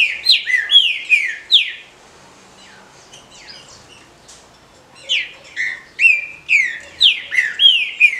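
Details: Female green-winged saltator (trinca-ferro), a captive bird from legal breeding in Brazil, chirping to excite males: bright, down-slurred whistled notes in rapid bursts, a quiet gap mid-way, then a fresh burst.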